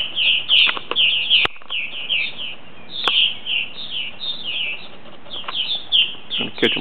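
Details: Roughly ten purple martins returning from the previous year arrive for the night, giving bursts of throaty chirps and warbles in uneven clusters, broken by several loud handling clicks.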